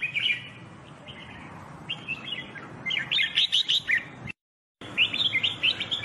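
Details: Red-whiskered bulbul, or jambul bulbul, singing in a training recording: fast runs of sharp chirped notes with brief gaps and a short dropout, over steady background noise.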